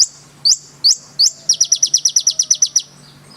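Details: Konin song opening with three sharp, high downslurred chirps, followed by a rapid, even series of about twelve bright, ringing notes, and fading out in a thin trailing whistle.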